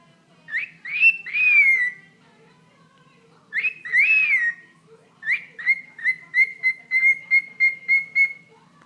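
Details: A pet bird talking to its owner's toe: upswept whistled notes in short phrases, then a long series of rapid, evenly spaced pulsed whistles at a steady pitch, over a faint low hum.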